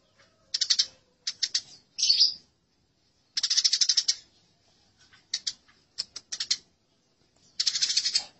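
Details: Fighting Eurasian tree sparrows for masteran training: scattered short bursts of sharp, rasping chirps with quiet gaps between them, including one longer run of quick chatter.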